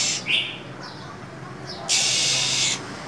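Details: Female than songbird in cold, frosty winter giving short high chirps followed by a long, harsh, breathy hiss lasting nearly a second, with quiet gaps between.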